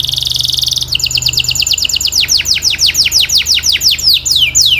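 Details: Canary singing for training practice: a dense rattling trill for almost a second, then steady series of sharp downward-sweeping whistles, about four per second, ending in slower, broader slurred notes over a faint hum.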